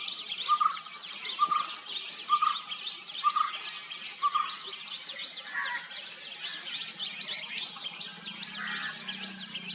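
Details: White-cheeked barbet, also called small green barbet (Psilopogon viridis), a species of southern India: low, throaty notes repeated roughly once per second for about five seconds, then fading, over a dense chorus of high chirping birds.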